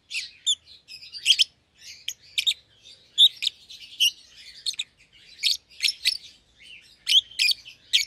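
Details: Two young caged lovebirds, an albino and a euwing green opaline, paired after feeding each other; busy run of shrill chirps and twitters, nearly continuous.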